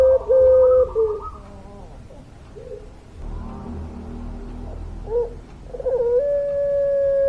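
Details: Vigorous puter pelung dove with a long voice: a sustained low whistled coo opens and closes the passage. Short hoots and a quieter stretch of background hum fall between the two long notes.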